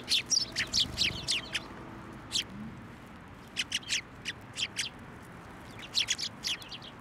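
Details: Sparrows at Tenmangu shrine on 17 January 2024, flying onto a hand to be fed, give short bright chirps in scattered bursts of two to four notes, several birds overlapping, with a faint low rumble behind.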